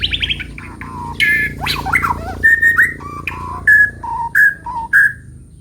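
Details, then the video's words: White-rumped shama singing in the morning; varied clear whistled notes and slurred phrases, some sweeping and rising, over a steady low hum in the background. "Kicau Pagi Murai Batu"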